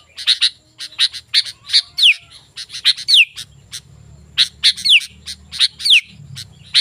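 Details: Sooty-headed bulbul used to tutor and lure wild bulbuls: clusters of crisp chirps broken by occasional steeply falling whistles, delivered in bursts with short gaps and faint low background hum.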